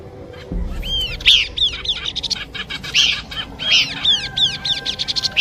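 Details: Horsfield's babbler song from a combination recording meant for luring birds: lively strings of arched chirps and buzzy notes repeated in quick succession, with a low thump at the start and a thin steady tone later.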